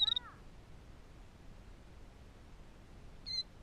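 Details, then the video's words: Newly hatched killdeer chicks in the nest on a morning in northern Michigan, three hatched: thin, high peeps at the start, one slurring downward, then a single short peep after about three seconds of quiet. "Killdeer Birds - Babies in the Nest"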